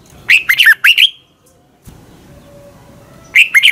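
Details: Red-whiskered bulbul morning training song: one lively phrase of four or five slurred, rising-and-falling whistles, a quiet gap of over two seconds with faint background hum, then the phrase begins again.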